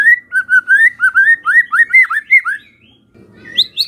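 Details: White-rumped shama singing a lure song meant to get other shamas to reply: a fluid string of rapid mellow whistled notes, steady in rhythm, ending in a brief high flourish over light background rumble.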